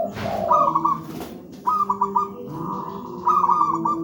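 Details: Zebra dove, local wild type, giving a deep, dense master song for young birds: a low soft note followed by quick bubbling trilled coos, repeated in three bursts, with a steady low hum beneath.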